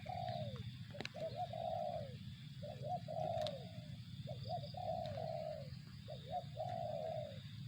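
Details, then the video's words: Repeated spotted dove phrase, a brief two-part lead-in then a long coo sliding downward, four phrases evenly spaced over a low background rumble. "suara burung tekukur"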